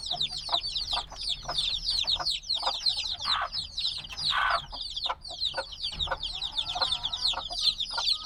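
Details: Chorus of few-days-old black chicks: constant shrill falling peeps from many birds at once, a couple of louder broader cries around the middle, then the busy chirping carries on.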